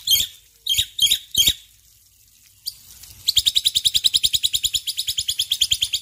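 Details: ['A male Black-winged myna sings in the morning: four harsh scratchy notes, a short pause, then a long rapid run of about thirty rasping pulses.']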